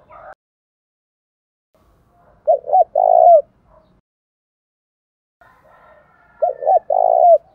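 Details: Đồng Thổ-style spotted dove coo meant to spur a rival to call: after a brief opening note, two full phrases follow about four seconds apart, each a quick two-note lead-in and a drawn-out, slightly descending coo.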